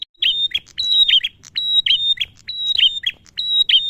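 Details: Male bar-winged prinia singing vigorously, a recording meant to prompt prinias and ciblek birds to call: high-pitched clipped whistles and snapping ticks tumbling out in brisk repeated phrases, about six in four seconds.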